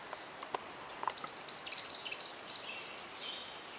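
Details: São Paulo tyrannulet at Reserva Natural Salto Morato, Guaraqueçaba, Paraná, Brazil, giving a quick series of five or six high, sharp chip notes, about three per second, over a soft background hiss.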